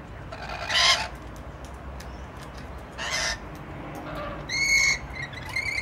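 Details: Rainbow lorikeets playing peek-a-boo in Lindfield produce three rasping screeches spaced about two seconds apart against a soft background hiss, the last ending in thin whistled notes.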